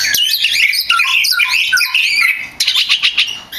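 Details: Energetic champion oriental magpie-robin song for training kept birds: dense, unbroken warbling of bright whistled slurs and chips, rising and falling quickly, ending in a run of sharp repeated notes.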